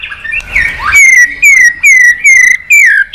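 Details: White-rumped shama giving a fighting song while flicking its tail, stirred up against a rival: a long run of loud, clear whistled notes, each sliding downward, repeated about twice a second after a softer, mixed opening.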